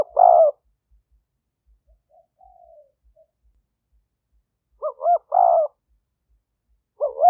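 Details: Spotted dove calling as a lure for wild birds, smartphone recording from Khok Lam, Roi Et, Thailand, 2021: a purring coo, a faint distant note, then two bursts of paired short notes leading into a longer rolling coo.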